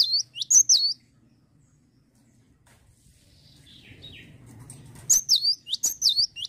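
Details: Cinereous tit in full song: sharp, high slurred whistles in short rapid groups open the recording. A lull with soft, lower chirps follows, then renewed bursts of the same piercing down-curving notes close it.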